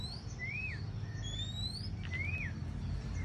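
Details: White-rumped shama of the Aceh type, recorded in Ladong, Aceh Besar, used as a trapping lure. Clear whistled notes arch up and then fall, repeated about three times over a steady low rumble of background noise.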